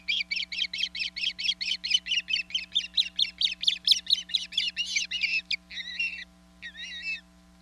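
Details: Nesting female osprey on Hog Island, 27 April 2022, gives musical calls to her mate, who then delivers fish. Rapid whistled chirps grow louder and rougher, then break into a few drawn-out, wavering squealed notes before falling quiet.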